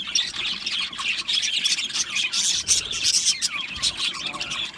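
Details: Australian budgerigar colony in an aviary, many birds singing and chirping at once: a dense, continuous wash of high twittering, squeaky warbles and short chirps with no pauses.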